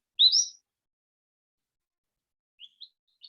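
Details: Cordilleran Flycatcher, which breeds in the Spring Mountains of southern Nevada, gives one sharp, high two-part call slurring upward, unlike the single-syllable Pacific-slope, then three faint, brief high notes about two seconds later.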